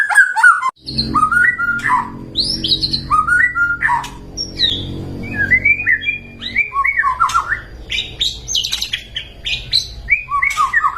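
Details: White-rumped shama lure song for prompting caged birds to respond and sing: loud, rich, varied phrases mixing clear whistles, rapid trills and harsh notes, delivered almost without pause over a steady low hum in the first half.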